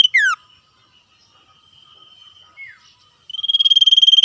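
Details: 'Ngetir' singing by a common iora trading calls with wild birds: a falling whistle ends one phrase, faint notes and a brief slurred call follow, then a new pulsing trill begins.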